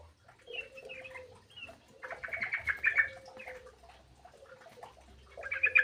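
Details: Several birds in an aviary bicker over food, giving steady mid-pitched whistles and bursts of harsh, buzzy, rapid chatter at higher pitch, rising to a louder clamour at the end.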